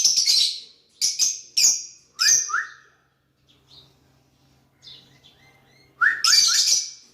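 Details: Lovebirds interacting: loud shrill chirps and short whistled notes, a quiet pause with soft faint chirps, then another loud burst of chirps and chattering.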